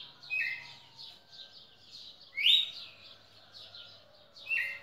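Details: Red-cowled cardinal recorded in Pernambuco on 10 December 2017, giving bright rising whistled notes near the start, middle and end, set against an unbroken background of pulsing, buzzy high chatter.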